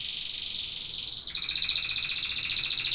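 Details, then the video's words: A canary sings a smooth high trill that switches abruptly into a louder, rapidly pulsed rolling trill of evenly spaced beats. "Singing canaries."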